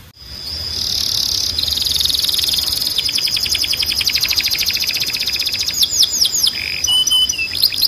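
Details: Timbrado canary song for canary training: a long sustained high trill building steadily, then quickening rolled notes, a few swooping notes and a brief low buzz at the end.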